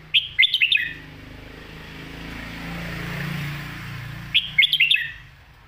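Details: Red-whiskered bulbul kept as a cage bird in Thailand, recorded for tutoring young birds. Its complete-repertoire song is quick and skilled: a rapid cluster of sharp whistled notes opens the recording, a steady low hum follows, then a second fast whistled phrase closes it.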